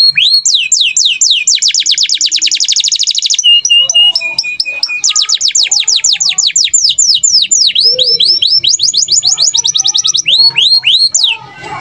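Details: Kenari gacor canary from Indonesia singing in standard cengkok style: rapid repeated swept notes forming long trills, steady flat whistles, then looping downward slurs and more fast rolling phrases without a break.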